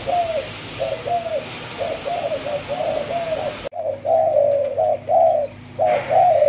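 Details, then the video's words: Spotted dove of Malaysian strain, two months old, cooing in the 'chiêu di chuyển' style: a steady series of mellow, low coos with drawn, slightly wavering notes, grouped in short phrases, recorded indoors. "Malaysia, Chiêu Di Chuyển 2 Tháng Tuổi"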